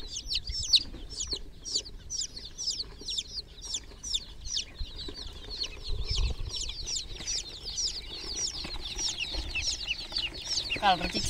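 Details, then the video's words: Groggy domestic chicken chicks in a water pool give a dense, continuous stream of high, thin, downward-slurred peeps from several birds at once, with soft low thumps and splashy rustling beneath. "Groggy Murgi chicks Chirping sounds in water pool"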